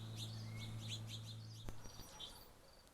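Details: A male House Finch feeds his recently fledged first brood of the year as the fledglings beg: quick, high chirps and thin whistled notes in rapid bursts over a steady low hum, with a sharp click midway.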